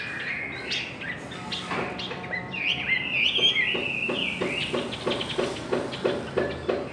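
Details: Contest song of Chinese hwamei: rich, varied whistled phrases that rise and fall, peaking in bright high slurs midway. A run of regular, clicking lower notes follows, repeating about three times a second toward the end.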